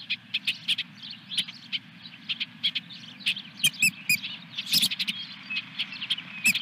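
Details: At the nest as a fish is brought in on 17 May 2021, an osprey gives scattered, thin, high chirps and short whistled notes among clicks, over a constant low hum.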